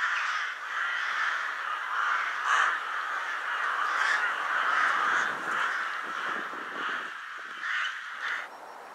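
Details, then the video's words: Rooks flocking at Vienna's Ottakring cemetery, a pre-dusk winter assembly point rather than a roost; intense chorus of rough caws, rapid and overlapping, easing slightly toward the end. "saatkrähen-spektakel / friedhof ottakring - flocks of rooks at cemetery ottakring"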